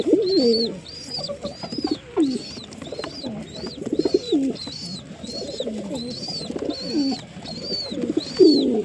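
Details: Many pigeons murmur low rolling coos for several seconds. Above them, a bright high whistled note recurs roughly every half second.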